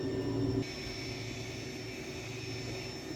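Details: A steady mechanical hum like an engine or passing vehicle, with no animal voice.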